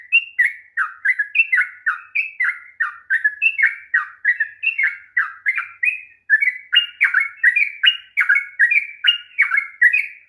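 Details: Long, rolling sooty-headed bulbul song for rousing a bird that will not sing; a continuous rapid chain of rich, gurgling whistled notes dipping and rising, with a short break after six seconds.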